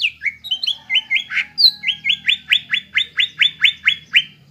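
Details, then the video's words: Greater green leafbird, a gacor bird whose song lures untrained young birds into singing: a steady series of about fifteen bright, rising whistled notes, roughly four per second, after a varied opening of slurred whistles. "PANCINGAN CUCAK IJO BAHAN ATAU BAKALAN AGAR CEPAT GACOR"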